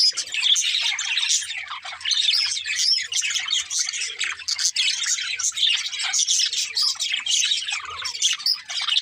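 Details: Happy budgerigars at play, a group chattering nonstop: busy high-pitched twittering and warbling, fast chirps and squeaky notes layered over one another in an unbroken stream, faint background hum.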